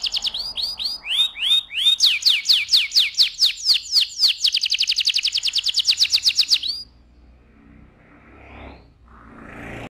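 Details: Canary singing to excite the male and prepare the female for breeding: fast repeated downswept whistles building into a rapid rolling trill for about seven seconds, then quiet with faint background sounds.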